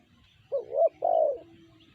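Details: Tekukur, spotted dove of the BL type, giving one cooing phrase: a short low coo, a rising hooked note, then a longer drawn-out coo, over a quiet background with a faint steady hum.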